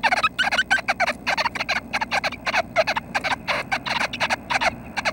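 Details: Nuthatches at the nest near fledging time, 6:30 am, May 25: a dense, busy stream of scratchy chirps, almost continuous, several notes each second.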